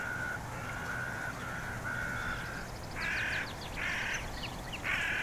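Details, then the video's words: Black-headed gull calling: harsh, drawn-out nasal cries in a steady series, the later ones louder and broader, with faint high chirping of small birds in the background. "Речная чайка 4K | Black-headed gull 4K"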